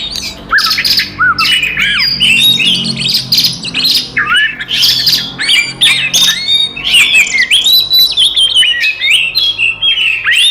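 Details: Fighting song of an Oriental magpie-robin, meant to provoke and agitate rival magpie-robins: harsh squawking notes mixed with looping whistled slurs and rapid chatter, loud bursts following one another steadily, with a faint low hum behind.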